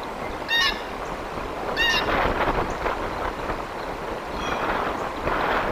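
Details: Bald eagles at a nest in Decorah, Iowa, on a July day, two brief, high, piping squeals a second apart, against loud gusty wind noise.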